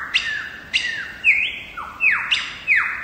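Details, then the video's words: Wild lyrebird, Megalong Valley, Blue Mountains, Australia: ringing whistles that flick upward then slide down steeply, about six strong notes in three seconds, rich and resonant. "Lyrebird song"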